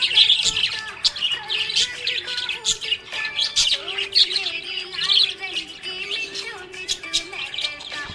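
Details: A budgerigar, described as happy, keeps up a lively stream of rapid chirps, squeaks and warbles, rising and falling in quick clusters, while music with sustained tones plays underneath.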